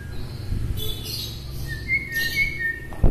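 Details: White-rumped shama from Bahorok, Medan, singing in a way said to stir up other shamas; a clear whistled note held near one pitch with bright high chirps above, over steady low background hum.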